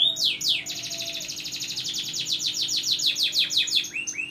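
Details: Loud, continuous canary song used to coax silent canaries into singing: two sharp descending notes open a long, rapid, even trill of high repeated notes that ends in a few rising slurs, over a low steady hum.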